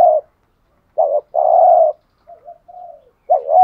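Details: Spotted dove cooing, played to rouse a caged male into calling: low, hoarse coo notes in short bursts and one longer sustained coo, with faint softer notes between and silence around them.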